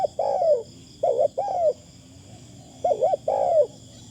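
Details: Decoy spotted dove with a lovely, lightly phrased voice: two full coo sequences, each a long rolling note then paired arched coos, about two seconds apart, against a continuous high insect hum.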